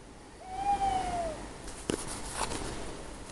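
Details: At night in a garden, one of two owls calling back and forth, one sitting on a telegraph pole, gives a single drawn-out, gently falling hoot, followed by a few faint knocks and rustles.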